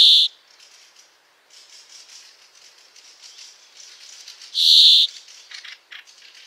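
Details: A Brambling (Fringilla montifringilla) song: two drawn-out, harsh buzzing wheezes about four and a half seconds apart, with faint, soft twittering from other small birds in between.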